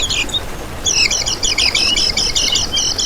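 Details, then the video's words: Kecial kuning, the lemon-bellied white-eye, used as a lure recording: a short whistled note, then a fast, even run of high, twittering chips lasting about two seconds. "Masteran Kecial Kuning Untuk Pancingan n Pikat"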